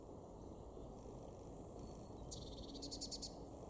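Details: Eurasian blue tit in a garden in Weener, East Frisia, northwest Germany, April 2024: a faint thin high whistle, then a quick stuttering burst of five or six very high, sharp notes over a steady low rumble.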